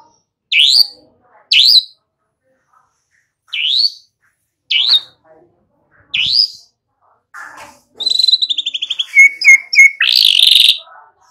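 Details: White-rumped shama song used to lure young birds into singing: five separate upslurred whistles spaced a second or more apart, followed by a dense rapid trill and buzzy chattering.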